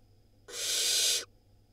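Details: A single barn owl nestling hiss, Israel, spring 2022, linked to swallowing a rodent: one steady, broadband breathy rasp lasting about three quarters of a second over a quiet background.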